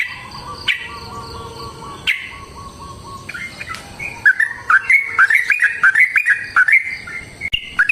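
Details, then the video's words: Long fighting song of a yellow-vented bulbul, used as a lure: a steady low hum with a few isolated notes, then a lively burst of quick bubbly whistled phrases that rise and fall. "TRUCUKAN GACOR TARUNG ROPEL PANJANG Pancingan trucukan Agar Bunyi Jadikan Burung Trucuk Gacor Nyaut"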